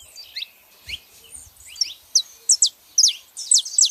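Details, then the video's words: Saffron finches, female and male, making noise: faint scattered chirps that build into loud, bright, steeply falling notes in quick pairs toward the end. "canários da terra fazendo barulho fêmea e macho"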